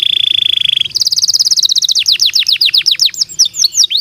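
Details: Canary song used to prompt other canaries to sing: a fast, even trill, then a higher buzzy trill, breaking into a rapid series of sweeping downward whistled notes that speed up at the end.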